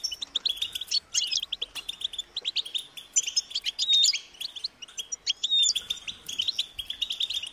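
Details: European goldfinch chicks calling to be fed by their parents: rapid high chirps running almost without break, with sharper whistled slurs standing out now and then, many birds calling at once.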